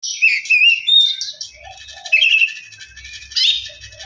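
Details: Oriental magpie-robin song used as a lure to make lazy kacer birds sing and get excited: high, rich whistled phrases with chirps and warbles, bursts every second or so, a faint low thump underneath.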